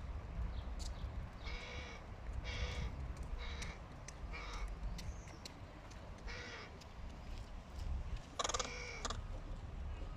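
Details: A fluffy fledgling crow being fed by its father gives harsh, nasal caws, about six in ten seconds, some in quick pairs, over a steady low rumble of wind or distant traffic.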